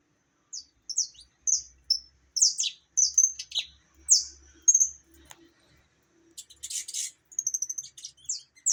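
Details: Opaline-colored saffron finch (canário-da-terra) singing: a steady series of bright, high chirped and slurred notes, roughly two per second, ending in a quicker run of sharp chips and rolling high phrases.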